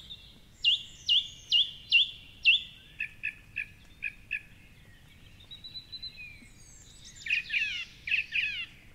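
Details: Song thrush singing in darkness at 4.45am by the Curragheen River, Cork City; five slurred whistles repeated, then five short clipped notes, then a scratchy tumbling phrase.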